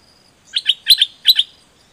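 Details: A dok taeng bird's training song: three loud paired chirps, each pair a sharp high note followed by a slightly lower one, spaced evenly with brief soft clicks beneath.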